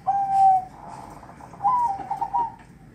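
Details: Zebra dove, called perkutut or merbok, a male calling to its female: a soft clear cooing note, followed by a trilled rolling phrase and then a series of quick, slightly rising coos.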